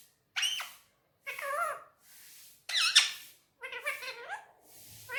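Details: Indoors on a table, a pet male Indian ringneck parakeet talks in Urdu/Hindi, producing separate high, bright, warbling speech-like phrases with short silences between them.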